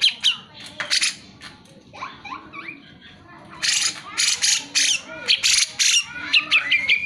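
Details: Cucak jenggot singing energetically, used as a lure to prompt lazy birds to sing; bursts of loud, harsh, chattering high notes mixed with sweeping whistled slurs, broken by brief quieter pauses.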